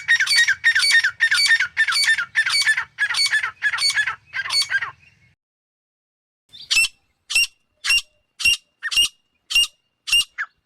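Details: A female grey francolin calls with broad, rasping notes about twice a second, pauses, then switches to sharper, thinner clipped notes at a similar steady pace.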